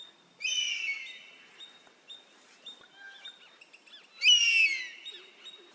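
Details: Oriental honey-buzzard (Pernis ptilorhynchus) in Rajasthan, India, giving two high, drawn-out whistled screams about four seconds apart, with faint chirps of smaller birds between.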